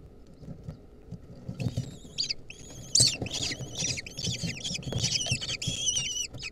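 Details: Lesser kestrel nestlings fighting over a centipede give harsh, high, squealing and chittering calls in rapid overlapping bursts, with scuffling and low rumbling noise underneath.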